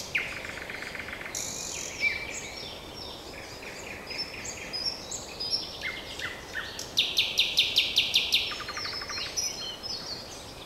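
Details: Common nightingale song: a rich varied sequence of whistles, buzzy trills and a fast repeated stuttering series of sharp notes around seven seconds, followed by a lower rattling burst, with constant faint background hiss.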